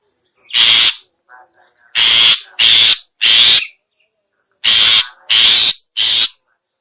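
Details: Long-tailed shrike lure call, the sound used to attract other shrikes, known locally as toet toet: loud, harsh, raspy bursts about half a second long, given singly and in quick runs of three, with brief faint notes between.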